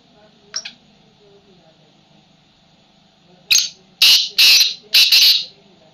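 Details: Tamed wild black francolin calling in a cage: a faint note early on, then a burst of four loud, harsh, grating notes in quick succession.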